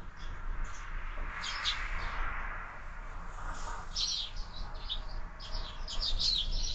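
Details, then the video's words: Sparrows at a window feeder in the morning, chirping in irregular short bursts over a broad hissing rush of background noise, calls growing denser toward the end. "Воробьи в кормушке - Утро"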